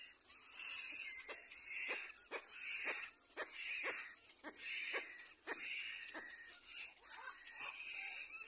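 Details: Little black cormorant chick learning to clean itself, giving a series of strained, whiny calls with a harmonic ring, roughly one a second, over a steady high hiss of background noise.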